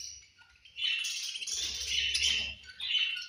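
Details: Budgies chirping at food time: after a quiet start, a loud continuous run of high, rasping warbles and squeaky chirps, dipping briefly before another burst.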